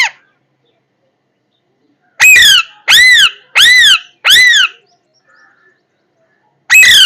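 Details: Parrot delivering four loud harsh arched squawks about every 0.7 seconds after a silence, with another squawk starting at the end.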